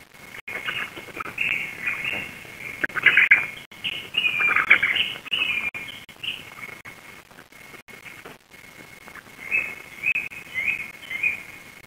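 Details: At a Black stork nest in Lodz, Poland, on a June 2021 evening, the female feeds her chicks and then leaves. Bursts of shrill, quavering squeaks rise and fall in clusters, with pauses between, against a constant high electronic tone.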